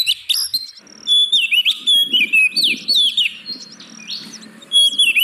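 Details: Lure recording of oriental magpie-robin song for prompting lazy caged birds: a rapid, steady run of bright whistles, many sweeping down then up, delivered in quick succession with faint low clatter underneath.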